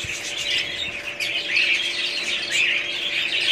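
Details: Short stretch of budgerigar chatter: squeaky chirps and warbling, with a couple of louder squawky notes over a faint steady hum.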